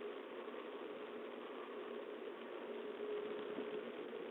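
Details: Constant mechanical hum and rattle with a brief faint steady tone near the end, and no animal voices.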